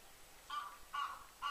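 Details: Cape Barren goose at the Coolart Homestead Wetlands in Victoria, calling during mating while the male handles the female roughly; three short, harsh, honking notes roughly half a second apart over a quiet hiss.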